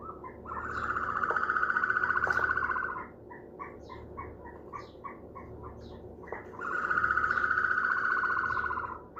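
A day-old ostrich chick gives two long, rolling mid-pitched trills, each about two and a half seconds, with soft clicks and ticks between them.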